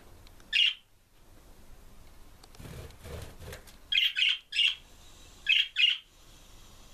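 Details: Pet budgerigars flying, calling the others and yawning; short, bright chirps, singly and in quick pairs, with a soft rush of wingbeats.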